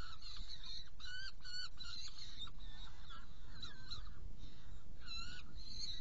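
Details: Saker falcon, Hungary, 16 June 2018, bringing prey and feeding two young: clusters of hoarse, squealing screeches with uneven timing and short gaps, over continuous low-pitched background noise.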